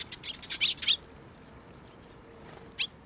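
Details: Young Eurasian tree sparrows gathering in a plum tree at a Tenmangu shrine to be fed, 26 May 2024; a burst of high, rapid chirps in the first second, then a quiet gap and one more short chirp near the end.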